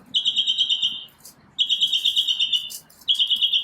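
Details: A single bird sings high, sustained, trilled whistles in the morning: three long quavering phrases, each lasting about a second, with short gaps between.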